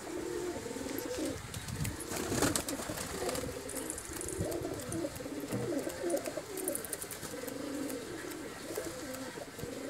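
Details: Several pigeons kept at home by a hobby breeder cooing together, overlapping low burbling phrases running continuously, with scattered clicks and light scuffing noises.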